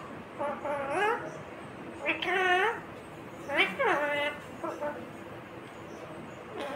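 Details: A green Indian ringneck parakeet talks in four separate shrill, voice-like bursts with bending pitch, each lasting under a second, against soft background noise.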